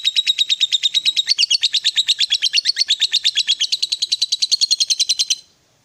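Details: Ngekek panjang from a fighter lovebird, played to stimulate a silent bird to answer: a dense, fast, shrill chatter that holds steady for about five seconds and then stops abruptly into silence.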